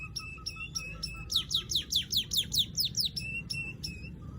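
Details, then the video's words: Weaver opening with evenly spaced short, clipped high notes, breaking into a rapid cascade of loud downslurred chirps, then returning to the clipped notes. "Crecet .. Cret ..!! SUARA PANGGILAN BURUNG MANYAR"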